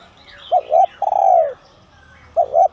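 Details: A spotted dove, used as a decoy and singing in the 'giọng son' style to attract wild birds, gives two quick coos followed by a long, purring coo sliding downward, then starts the next pair of short notes.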